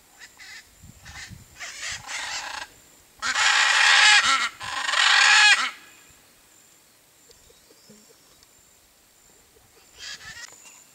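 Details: Blue-and-yellow macaw in the Brazilian Cerrado, perched camouflaged in a tree, giving harsh, raspy squawks in bursts, the loudest two lasting over a second each, with quieter calls before and after.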